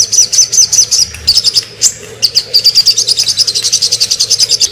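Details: Sogon bird in a master recording for songbird training, giving quick high twittering notes that falter around the middle, then settle into an even rapid chirping run.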